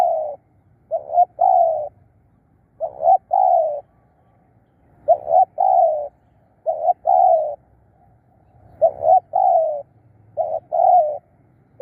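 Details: Decoy spotted dove kept for luring wild doves, calling in spaced groups of soft coos, each group opening with a short rising note followed by a longer mellow coo, repeated about every two seconds against a quiet background.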